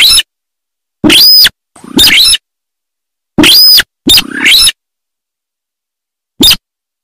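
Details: Sintar bird producing loud rasping screeches with a bright arching overtone, sometimes two in quick succession, followed by a single short click near the end. Surroundings are silent.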